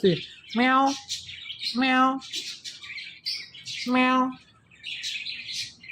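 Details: Pet Indian ringneck parakeet talking: three voiced, speech-like syllables with steady low-pitched harmonics, separated by hissy, breathy bursts and short pauses, in a quiet indoor setting.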